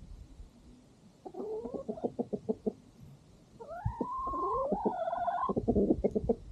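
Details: Farm chickens at sunset, while a dog eats its meal, give quick repeated low clucks, then a drawn-out rising and wavering call, then more clucking.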